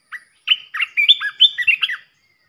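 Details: Red-whiskered bulbul, a fierce decoy bird, singing to provoke other bulbuls: one short note, a pause, then a quick run of bright, warbled, whistled notes lasting about one and a half seconds, with a clean background.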